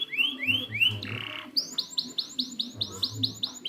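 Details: Canary training song for birds that have stopped singing: a few slow rising slurs, a brief buzzy burst, then a quick series of short rising chirps.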